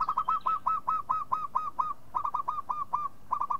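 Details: Local zebra dove, played to prompt other doves to call, delivering a long rapid run of short hooked cooing notes, about five per second, with two brief pauses between bursts.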